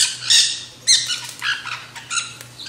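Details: At a backyard seed feeder, black-hooded nanday conures utter a few scratchy, strained squawks and softer rasping notes, fading between calls, with a low steady hum underneath.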